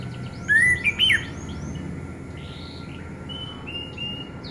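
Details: Orange-headed thrush singing as a lure to start silent birds singing: a short, loud phrase of rising whistles and quick slurs, then softer, scattered high notes fading out.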